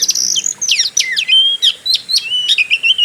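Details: Oriental magpie-robin singing in fighter style, used to provoke other birds: loud, varied whistles that swoop down and up, interspersed with sharp chips and a level whistled phrase.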